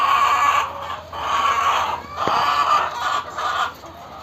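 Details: A crowded flock of laying hens in a shed on a poultry farm in Rajshahi, Bangladesh clucks and squawks together in a dense, continuous din.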